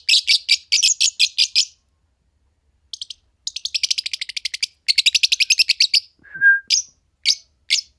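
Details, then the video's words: Paired green Fischer's lovebirds chirping in rapid rattling series of high, harsh notes, interrupted by one lower whistled note, ending with a few single sharp squeaks. "Lovebird Singing & Chirping Sounds - Green Fischer Pair"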